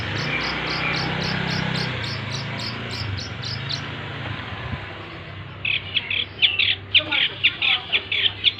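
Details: Long-tailed shrike singing, its song full of mimicked material: first a run of evenly repeated high clear notes, then after a pause a quick series of sharp chirps, over a low steady background hum.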